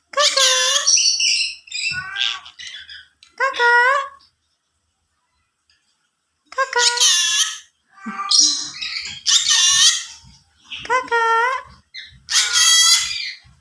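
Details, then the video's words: Yellow-sided conure talking in a string of speech-like phrases, each a stacked harmonic burst with quick pitch sweeps, coming in clusters with a silent gap in the middle. "burung yelow side conure bisa ngomong"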